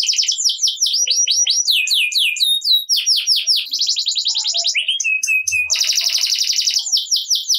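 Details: Lively 'gacor' canary song, a lure to prompt quiet canaries into song: quick chains of sweeping high notes alternate with long buzzy rolls and a short steady whistle, all continuous and loud.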